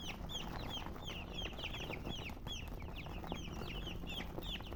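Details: Chicken chicks cheeping continuously, short high down-slurred notes overlapping from multiple young birds, with a constant faint hum and low background noise.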